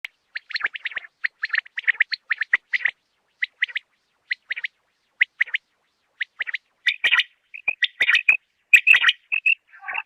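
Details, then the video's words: Common quail (batair) calling: short bright chirped notes grouped in twos and threes, repeated steadily through the first half, then denser, harsher overlapping notes near the end; no other sounds. "Batair ki awaz Quail sounds بٹیروں کی آواز"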